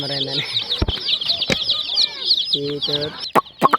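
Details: High, busy peeping from a batch of colourful hen chicks, overlaid with short bursts of a man's voice and a few sharp clicks near the end.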